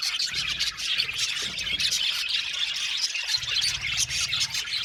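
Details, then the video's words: Budgies in an aviary colony produce a busy, continuous chorus of high chirps, squeaks and warbled twitters. The calls overlap constantly, with low rumbling thumps in places. "Budgie amazing chirping sound | Budgies calling sound to make him happy"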